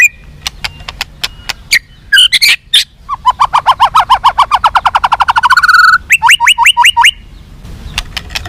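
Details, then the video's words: White-rumped shama song meant to make captive birds more responsive and fighting: sparse clicks, then a fast accelerating trill of repeated notes rising in pace, followed by five quick upslurred whistles and a few further clicks. "SUARA BURUNG MURAI BATU FIGHTER"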